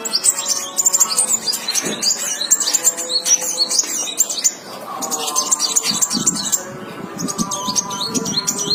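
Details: Ruby-cheeked sunbird, locally called kolibri wulung, in Indonesia; rapid high thin twittering and chirping notes in dense bursts, pausing near the middle and resuming, over low background noise and a steady hum.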